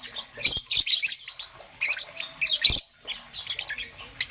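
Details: Morning calls of a green-and-yellow young peach-faced lovebird: harsh, buzzy high chirps in tight clumps, loud and scratchy, with brief quiet breaks between clumps.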